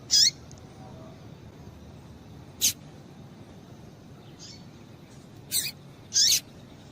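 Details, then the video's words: Female double-collared seedeater calling to stimulate males so they keep singing: four short, high, sharp chirps spread irregularly over seven seconds against a quiet, steady background hiss. "Piado de Fêmea de Coleiro Quente para Esquentar Coleiro tui tui"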